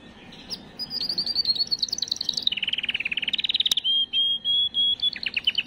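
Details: Canary singing to stimulate and prepare females for breeding. A faint start leads into a descending trill and a lower buzzy roll, then a sharp click, sustained whistled notes and a closing rapid trill.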